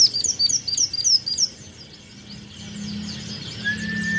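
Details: White-eye song as a rapid run of high, thin, sweeping chirps for the first second and a half, then quieter distant twittering and a steady low hum, with a thin whistled tone near the end.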